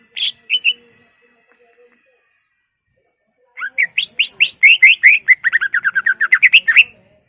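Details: Greater green leafbird song, used to provoke rival leafbirds, in the ngentrok style with mimicked fill-in phrases; two short sharp chirps, a three-second pause, then a dense, rapid run of varied slurred and trilled notes.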